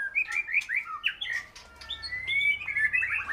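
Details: White-rumped shama, an older bird, singing: a varied run of rich whistled phrases, quick slurred notes rising and falling, then a long clear whistle and a burst of rapid chattering notes.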